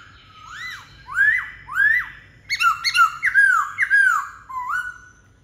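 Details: Black-throated laughingthrush singing bold, arching whistles, three slow upslurred notes and then a rapid cascade of overlapping bright slurs fading into a quieter final phrase.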